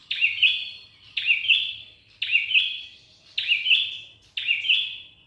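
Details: Prenjak Kepala Merah, a prinia, sings five short buzzy phrases about once a second. Each starts with a sharp attack, then a rattling, slightly wavering trill at high pitch that fades. A faint low hum sits underneath.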